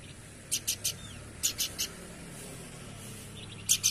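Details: Horsfield's babbler singing actively: two quick triplets of sharp, buzzy chipping notes about a second apart, then the start of another burst, with faint background hiss.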